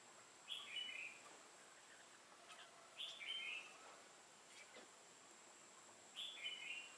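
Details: A red-whiskered bulbul sings as a trap decoy to lure wild birds, recorded 15 November 2017. Three brief, sweet warbled phrases come roughly every three seconds, each a quick high-pitched twist. Faint clicks and rustles sound between them.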